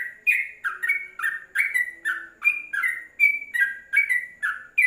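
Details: Training-song recording of a Yellow-vented bulbul for caged birds, with a continuous chatter of short liquid whistles, roughly three per second, alternating higher and lower notes in an uneven, bubbling rhythm.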